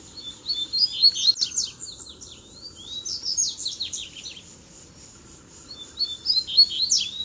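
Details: Song duel between double-collared seedeaters, three attracted to fight at once. Long bouts of rapid high chirps and down-slurred whistles, several phrases of varied pace, with pauses between bursts.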